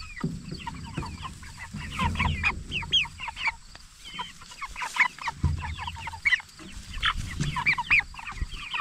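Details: Jumbo Cornish Cross broiler chickens, 44 days old, raised for meat; a flock gives dense overlapping high chirping peeps, short and rising-falling, with soft low clucks and rustling underneath.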